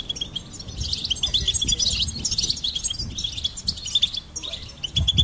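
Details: Goldfinch song as a dense, liquid twittering of bright chirps and buzzy notes, almost continuous, with soft low-frequency background noise.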